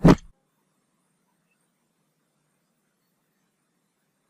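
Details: One short thump at the start, then silence for the rest.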